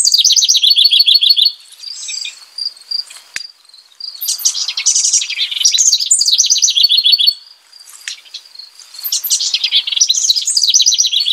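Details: Bubbly, rapid songs of a house wren repeat three times, with fast descending trills and chattering notes; a regular high pulse and a sharp click sound in the pauses.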